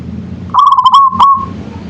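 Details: Locally bred zebra dove in song, one phrase of quick pulsed coos that runs into a long even trilled note and fades, with a faint low hum behind.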